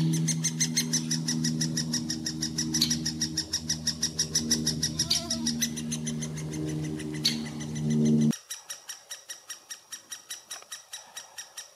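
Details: Fast, sharp calls repeated roughly three a second at a great spotted woodpecker nest in Furuberget, Hamar, Norway, summer 2017, with a low droning hum that cuts out near the end; filmed handheld on a Panasonic Lumix FZ2000.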